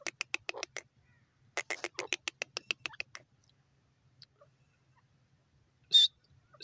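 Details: A pair of grey francolins, known locally as dakhni teetar, calling: two fast runs of sharp, harsh, clicking notes in the first three seconds, then a quiet gap and one loud, high, ringing note near the end.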